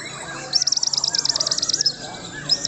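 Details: White-rumped shama delivering a fast, even trill of about twenty sharp high notes over a second and a half, followed by a short whistled note, with faint voices in the background.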